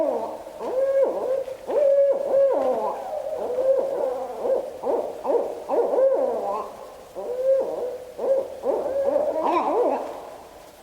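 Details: Barred Owls, including a juvenile, calling close to the microphone in a loud, excited run of screams, hoots, whoops and cackles, the notes tumbling over each other for several seconds.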